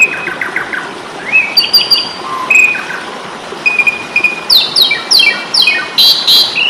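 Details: Training recording of an Asian pied starling's fighting song: a run of short harmonic chirps, flat whistled notes, then a dense finale of rapid descending high-pitched note cascades.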